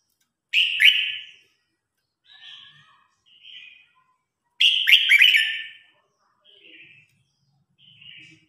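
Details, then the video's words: Red-whiskered bulbul singing in competition, a call to gather the flock: two loud, bright warbled phrases about four seconds apart, each followed by softer short whistled snippets, in an otherwise quiet setting. "Tiếng Chim Chào Hót Đấu /Tiếng Hót Gọi Bầy Đàn"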